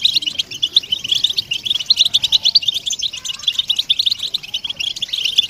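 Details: European goldfinches in a group giving dense twittering chatter and mating calls, meant to stimulate silent males into singing; rapid high tinkling notes and buzzy trills run continuously without pause.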